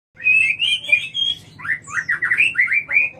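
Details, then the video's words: White-rumped shama (murai batu) from Jatiuwung singing loud, rich whistled phrases, first sustained and slightly wavering, then a fast run of rising and falling slurred notes. "Suara murai batu"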